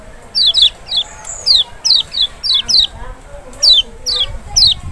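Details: Lure song of the lemon-bellied white-eye (Zosterops chloris maxi; Lombok or Sumbawa) to draw a response from an unwilling singer: a brisk series of loud high slurs falling in pitch, about one per second, frequently doubled.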